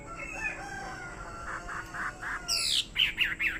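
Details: A fighting Chinese hwamei sings soft, rounded repeated notes at first, then bursts into louder, sharper chirps and quick whistled slurs in the final second.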